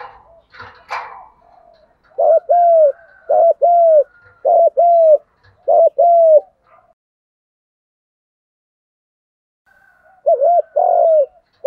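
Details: Spotted dove giving a fast run of 'thúc gù' coos to train and prompt other doves: five quick paired low notes in about four seconds, then a pause before two more, with a faint knock at the start.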